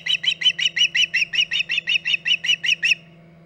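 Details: Osprey on the Hog Island nest, mid-August 2019 late morning: about thirteen loud, shrill whistled chirps in quick succession, nearly three per second, then the calling stops abruptly, leaving a low constant hum.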